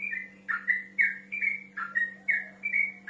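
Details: Male yellow-vented bulbul singing to call a rival: short, rich whistled notes given in quick bubbly phrases, about one every half second, over a steady low electrical hum.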